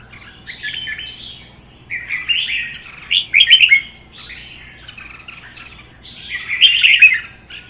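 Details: Captive red-whiskered bulbuls in a singing duel: repeated, loud, melodious phrases about every few seconds, each a tumbling mix of whistles and chatter, with quieter warbling between them.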